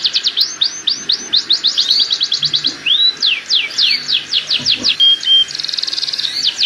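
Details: Canary mating song used to speed up pairing: quick repeated downslurred notes, a few longer swoops and a flat whistle, ending in a fast buzzy trill.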